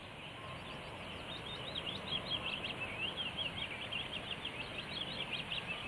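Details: Willow warbler singing: a long, fast run of thin, high whistled notes that grows slightly louder through the phrase, over a soft steady rustle of background noise.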